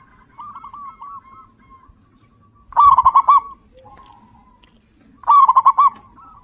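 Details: Zebra dove, local type, singing loudly as a lure to start other birds singing: two strong bursts of fast, rolling, bubbling coos about two and a half seconds apart, with quieter trilled phrases between them.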